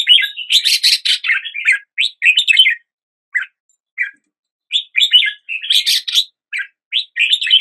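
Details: A Red-whiskered Bulbul (Pycnonotus jocosus) sings at the start of the day, bright, bubbly bursts of chirping notes in quick clusters with short pauses between phrases and no other sounds.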